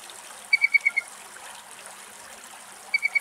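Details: Little owl (Athene noctua) calling in Greek nature: quick bursts of about five sharp, high, clipped notes, a second burst a couple of seconds later, over a steady watery hiss.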